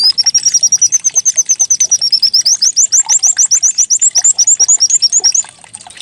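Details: Decoy song of a white-eye meant to make birds sing: a fast, high, steady train of short chirps and slurred whistles, several per second, ending abruptly.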